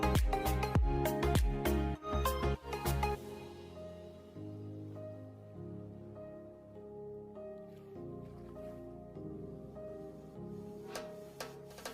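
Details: Only music is heard: sustained tonal chords with some percussive hits at the start, and no animal sounds.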